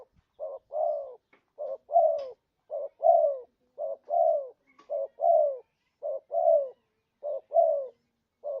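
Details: Spotted dove calling as a lure for trapping, giving a steady series of about seven paired coos, each a quick short note then a longer mellow falling note, evenly spaced.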